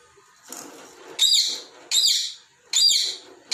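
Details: Pet talking parrot playing with its toy balls indoors, scolding them for moving: harsh, raspy, high screeching chirps in bursts roughly every three-quarters of a second, each rising then fading, in a small room.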